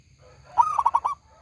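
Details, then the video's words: A single phrase from a local, loud-voiced zebra dove: a soft lead-in followed by a fast, throbbing series of five ringing coos lasting about half a second. A faint low murmur continues in the background. "perkutut lokal gacor suara besar nyaring"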